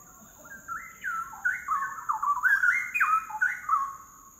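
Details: A Straw-headed Bulbul sings a rich, bubbling run of loud, mellow whistled notes that rise and fall quickly, over a faint steady high hiss.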